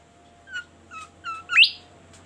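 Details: Bimoli bird in full melodious song: three spaced two-tone chirps, each a high note dropping to a lower one. A loud, steeply rising squeal with a trailing buzzy tail follows, over a faint low hum.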